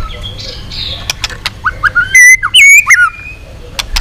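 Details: White-rumped shama trained for a long song to provoke rival shamas, tail-flicking; after scattered faint notes, loud clear whistled phrases rise and fall between 2 and 3 seconds, with short sharp clicks around them.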